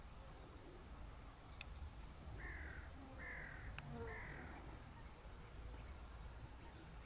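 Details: Greylag goose met up close gives three harmonic, nasal honks in quick succession over about two seconds, the last slightly longer, with steady low rumble and faint clicks in the background.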